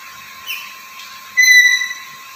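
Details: Black-capped lory, noted for lively calling and talking, producing a faint slurred note and then a loud, level, pure whistle lasting about half a second, over a continuous background hum.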